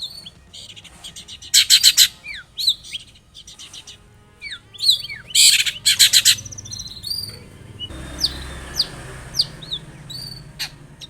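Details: Long-tailed shrike in energetic song, meant to provoke an answer from another shrike: loud harsh buzzing bursts mixed with quick whistled slurs and chips, ending in softer scattered notes over background noise.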